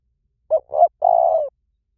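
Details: Spotted dove, 'liu tan' style cooing played to train a bird to answer. A single phrase: a short, mellow coo, a rising second coo, then a long, even coo that slightly descends. Clean and quiet.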